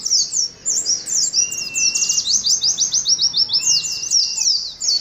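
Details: Steady rapid series of high, down-slurred chirps from an Oriental white-eye, played to caged colony birds to build their composure, with long thin whistles running underneath.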